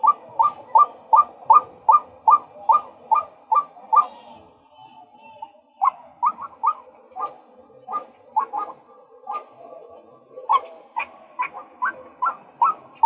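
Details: A male White-breasted Waterhen delivers a rapid, regular series of hooked, rising calls. There is a pause of over a second, then a more irregular run of similar notes.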